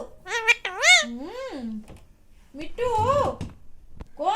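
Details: Pet rose-ringed parakeet mimicking speech to say it is hungry and wants food: several shrill, speech-like syllables with rising and falling pitch, separated by a short pause, indoors.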